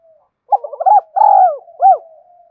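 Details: Spotted dove coo used as a lure: a short phrase of warbled hollow notes, a long drawn middle coo, and a final rounded coo, clear and close with silence around.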